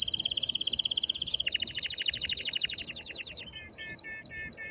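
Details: Male canary in excited song to stimulate a female to mate and to be heard by young birds: a rapid high rolling trill, then a faster pulsed trill of falling notes, ending in short repeated double chirps.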